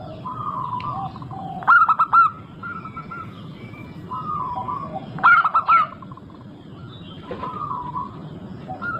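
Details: A local zebra dove recorded to lure others into song delivers bursts of rapid, choppy cooing notes about every three and a half seconds, over a dense bed of softer, drawn-out coos.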